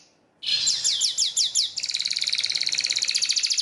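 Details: Yellow canary, recorded for singing training, opens with a series of quick downslurred high notes, then shifts into a dense, fast buzzing trill that continues to the end.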